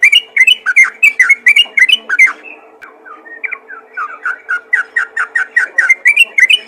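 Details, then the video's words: Sooty-headed bulbul calling other bulbuls, lively rapid whistled chirps in bursts, a brief softer pause midway, then a steady string of bubbly notes again. "panggilan burung trucukan ropel gacor memanggil trucukan lain"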